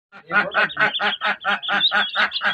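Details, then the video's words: Ducks with ducklings in a pond: a rapid run of about ten loud, harsh, nasal quacks, roughly four per second, each a broad raspy burst, with no other sounds. "Ducks Quacking || Quacking original Sounds of Ducks"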